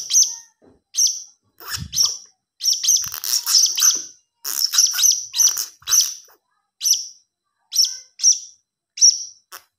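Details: High, thin chirping of a young blue-crowned hanging parrot: irregular single notes and quick double or triple squeaks, densest in the middle, sparser toward the end.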